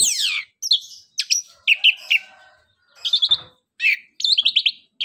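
Orange-headed thrush singing a lively, high, varied song of sharp downslurred whistles, quick repeated chips and short rattling trills, in bursts with brief pauses between.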